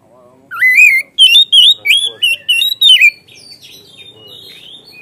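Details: White-rumped shama producing a burst of six or seven loud whistled notes that rise and twist, followed by soft, thin twittering in the background.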